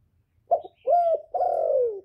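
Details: Male spotted dove kept as a decoy, calling to draw wild doves in. Three low cooing notes, a short one and then two long drawn-out coos that fall slightly in pitch, on a quiet background.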